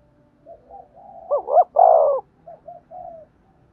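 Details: Spotted dove cooing for decoy training: soft low notes, then a loud double-hump and a long drawn-out falling coo, followed by a few faint short coos trailing away.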